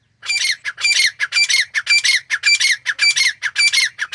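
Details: Female grey francolin, known locally as teetar, calling in a fast unbroken run of harsh, squawky notes, about two per second, each with a sharp strained edge, keeping an even rhythm for four seconds against a quiet background.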